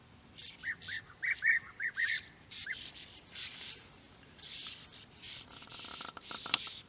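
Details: European bee-eaters at their nesting burrows in flat open country at Puszta Eldorado give about a dozen short, rolling, liquid 'prrip' calls in quick bursts over three seconds, then softer hissy sounds and a sharp click.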